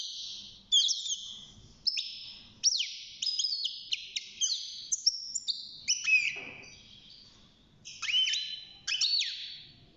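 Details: European goldfinch, young and caged, first singing at six months: lively rambling twitter of high chips, buzzy slurs and falling notes, delivered in repeated bursts over ten seconds.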